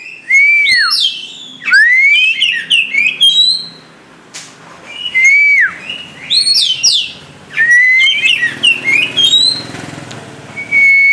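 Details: Caged white-rumped shama pouring out a fluid song of swooping whistles, upward-sweeping slurs and high twittering flourishes, delivered in loud phrases with brief quiet gaps between them; faint low hum in the background.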